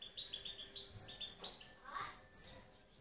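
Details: European goldfinch singing: a quick run of thin, tinkling high notes repeated about five times a second, followed by a buzzy slurred phrase and a bright sharp twitter at the end.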